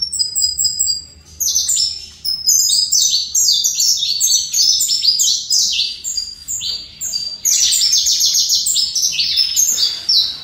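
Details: High, jumbled phrases of quick falling notes from a caged saffron finch singing fibra style, nearly unbroken across ten seconds apart from short dips in loudness.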